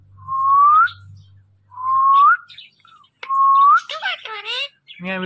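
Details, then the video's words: Pet parrots in conversation give a clear whistled note that rises and is repeated three times, followed by a quick run of wavering, voice-like chatter. "Two talking parrots have conservation"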